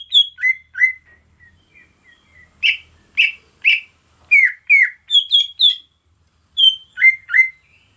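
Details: A greater green leafbird sings, recorded for rousing other birds: a lively run of paired whistles, several rough chirps, then a rapid string of clear descending notes and more slurred whistles, over faint hiss.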